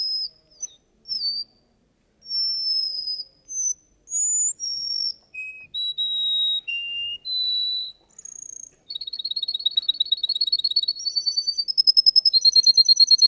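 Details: Russian canary singing at a contest: a long run of pure whistled notes at shifting pitches, some sliding up or down, then a fast even trill that steps upward in pitch toward the end.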